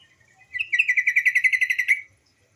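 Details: Female white-browed bulbul calling to lure males into singing: one rapid chattering run of about fourteen pulsed notes over roughly one and a half seconds, rising slightly at the start, then silence.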